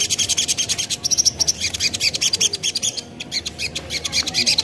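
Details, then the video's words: Spiderhunter lure sound meant to make other spiderhunters answer at once: dense, high, rapid chattering notes pouring out steadily, with a short break in the middle. "Burung Sogon Manapun Bakalan Langsung Nyaut Dengar Suara Sogon ini"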